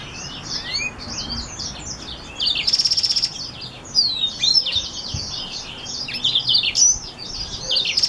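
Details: Song of a black-throated and Reichenow's seedeater cross: a continuous, high, chattering stream of swept chirps, broken by a buzzy rattling trill and bursts of louder, tumbling twitter.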